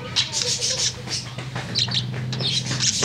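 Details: Tame budgerigar's afternoon song: loud, busy chattering of high chirps and squeaky notes with little pause, a steady low hum underneath.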